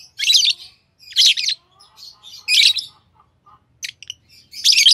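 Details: Green Fischer's lovebird pair, captive, chirping: dense buzzy bursts of harsh chatter about half a second long, separated by short pauses, with softer twittering notes between bursts.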